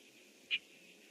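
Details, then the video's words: Red-winged blackbird calling out from its nest tree on 25 June 2014 around seven in the morning: one short, clear, high chip note in the middle, set against faint steady background hiss. "REDWING BLACK BIRD CALLS OUT FROM NEST TREE"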